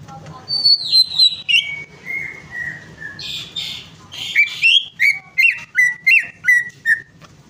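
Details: Greater green leafbird singing, a lure for a bird that has stopped singing: high whistles falling in steps, a buzzy burst, then a steady string of clear rising-and-falling whistled notes about three per second.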